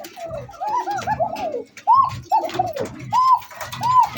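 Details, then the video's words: Red Bashiraj Koka domestic pigeon, a new adult at about six to seven moults, nervous of the camera, giving throaty cooing: arched mid-pitched coo notes in quick runs, then spaced single rising-falling coos with soft low thumps. "এই যে কবুতরটার গলার চিকুর শুনুন। এখন মোটামুটি নিউ এডাল 6-7 পাকে আছে,"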